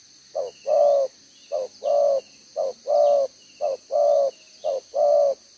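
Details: Spotted dove of wild stock kept as a decoy, two-stranded bead collar, cooing in the one-ending 'gáy 1 hậu' style on 11 June 2023: clipped low note followed by a fuller drawn-out coo, five even pairs, faint chirps behind.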